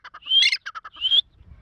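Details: An Iranian grey partridge (teetar), kept as a fighter bird and playing in high spirits, gives quick clipped notes, then two loud, high, rising whistles in just over a second, followed by faint low noise.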